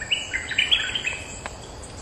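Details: Territorial Streak-eared bulbul responding to lure calls: a quick string of bright, chattering notes for about a second, then a single click-like tick, with faint insect buzz behind.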